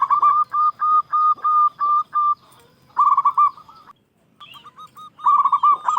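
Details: Zebra dove from local stock calling out rivals with loud song: a string of spaced bright coos, a rolling trill, a short silence, then faint notes before another trilled phrase.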